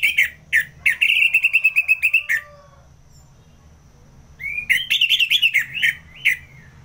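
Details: In ngeplong style, an Orange-headed thrush from North Bali delivers a fast rattling trill of whistled notes, falls silent for two seconds, then resumes with a bright wavering warble.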